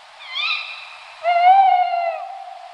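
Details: Tawny owl giving a soft, higher faint note and then one sustained, smooth hoot lasting close to a second. The hoot is steady and slightly falling, and the background is quiet.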